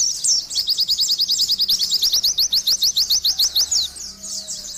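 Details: Oriental white-eye singing a rapid, sustained trill of high, thin, sharply slurred notes, roughly three per second, running evenly almost throughout with barely a pause.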